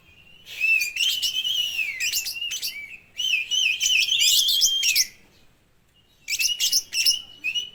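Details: Oriental magpie-robin, a speckled young bird in peak song after learning lovebird calls, used as a lure to prompt other magpie-robins: loud, dense runs of shrill squeaky chatter and wavering whistles, two long phrases, a silent gap, then a third burst.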